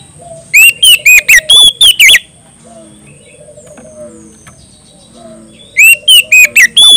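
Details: Active, loud-singing Oriental magpie-robin challenging a rival. Rapid bursts of clear, twisting whistles are repeated about twice a second, with a pause between bursts. Soft chirps of other birds and a steady high tone lie in the background.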